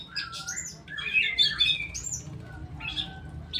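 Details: Kept straw-headed bulbul pouring out a rich, rolling warble of slurred whistles, rising and falling in a dense burst before trailing off into a few softer notes over a low steady hum.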